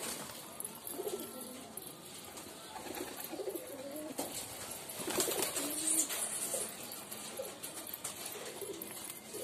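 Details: Hobby pigeons kept by their owner, giving low, soft cooing phrases that rise and fall in short rolling bursts, several overlapping, with clicks, shuffling and faint background noise around them.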